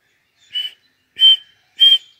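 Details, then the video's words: Female Sindhi partridge (teetar) call for jungle hunting: three short, clear, whistled notes, the first softer and the last two louder and spaced about half a second apart, against a quiet background. "female sound female recording Sindhi teeter sound teeter hunting partridge"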